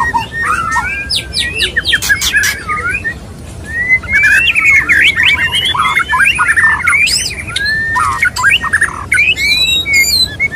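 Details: Courting male white-rumped shama singing to a female: loud, varied whistles, quick slurred phrases and scratchy squawks mixed with sharp clicks, in long busy bursts with brief pauses.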